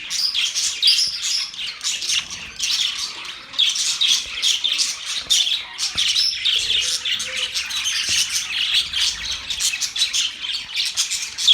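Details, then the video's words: Many pet budgies chattering at once: long, unbroken, high-pitched warbling with harsh squawks and sharp chirps mixed in, loud and even across eleven seconds. "Budgies singing | Budgies sounds | Budgies talking | Budgies chirping sounds"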